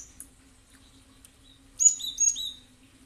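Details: Cinereous tit used as a lure recording to draw calling responses from other birds: a faint high tick, a pause, then a brisk cluster of thin, high chirps and short slurred whistles over a quiet background hum.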